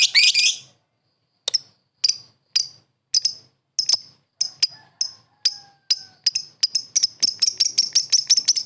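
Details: Lovebird calling to a rival: a harsh screech, then a pause, then sharp high clicking chirps that come faster and faster, ending in a rapid run.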